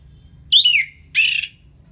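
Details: Two loud, harsh, downward-sliding notes about half a second apart from an orange-headed thrush, taken from a ngeplong tutor recording aimed at birds that are lazy to sing.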